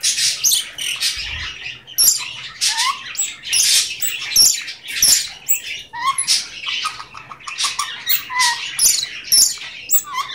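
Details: A pet male Goldie's lorikeet talks, chattering non-stop in high, scratchy, buzzing bursts with sharp squeaks between them, mixing in mimicked phrases such as "give me a kiss".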